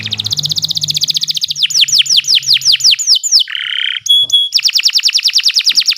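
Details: Canary song used as a training master for other birds: fast repeated trills of high notes, then a run of sweeping down-slurred whistles, a buzzy flat note and a clipped tone before the rapid trill resumes; faint low hum underneath.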